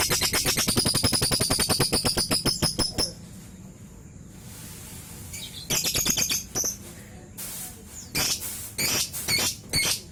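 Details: Young caged lovebird at the beginner stage giving a soft ngekek: a rapid rattling trill of sharp pulses for about three seconds, then a pause, then shorter chattering bursts and scattered squeaky notes.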